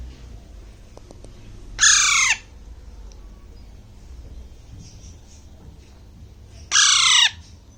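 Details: Young Alexandrine parakeet aged six weeks, eating grapes in Bangladesh, gives two loud grating squawks roughly five seconds apart, each dropping slightly in pitch as it ends, with faint background hum between.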